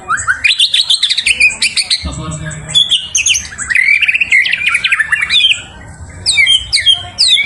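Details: A White-rumped shama sings a fast, varied run of loud whistles, chatters and sharp rising notes with brief pauses between bursts, used as a lure song to provoke a rival; faint background hum.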